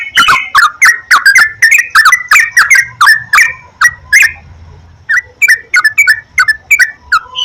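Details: Sooty-headed bulbul (trucukan) lure song meant to prompt other trucukan to sing; rapid series of loud, slurred whistled notes, about three per second, then a brief pause before sparser chirps resume.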